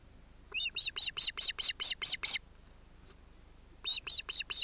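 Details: Osprey family at the nest, adult pair with two ringed chicks thought to be males, 31 July 2018; a fast series of nine sharp, harmonic chirps, a brief lull, then four more in the same rhythm.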